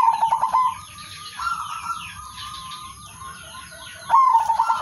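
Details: Male zebra dove of a local strain calling rivals as a lure; trilled coos at start and end with softer cooing between, amid steady chirping of other birds.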